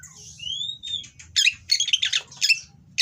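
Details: Breeding-condition Oriental magpie-robin, caged, singing rough material to provoke rivals; a long rising whistle slides upward, then dense harsh, buzzy chatter follows, with a low hum underneath.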